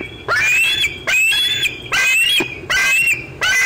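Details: Bald eaglet squeeing loudly at close range at 4:45 pm, 25 June 2013, near an adult eating fish; five rising, harsh squeals, each about half a second, spaced under a second apart.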